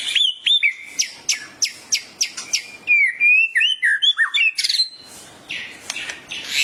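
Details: White-rumped shama in excited song prompted by a training recording: a quick series of sharp clicking notes about three per second, then sweet whistled slides and a harsh rasping burst near the end.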